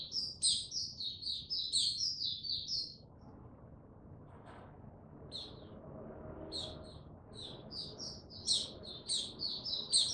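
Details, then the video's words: Caged male white-eye, Mata Puteh, dated 06032022, still building confidence before opening into full song. High, rapid twittering chirps run for about three seconds, pause, then resume as scattered notes that quicken again, with a low background hum. "Mata Puteh Before he open buka"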